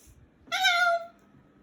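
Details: Pet Moluccan cockatoo indoors throwing a bedtime tantrum, refusing to go to its cage: a single loud, harsh, harmonic scream lasting about half a second, steady then slightly falling.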